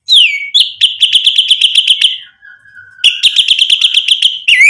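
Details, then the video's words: White-rumped shama singing loudly to provoke rivals into answering: a falling whistle, then rapid runs of sharp repeated notes about ten per second, a long low steady whistle, and another fast rattling burst. "MURAI BATU GACOR bikin EMOSI lawan jadi NYAUT"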